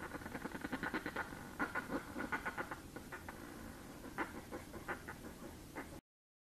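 Northern fulmar giving guttural, rapid cackling bursts of hoarse clicking notes, repeated through the clip over a low background rumble.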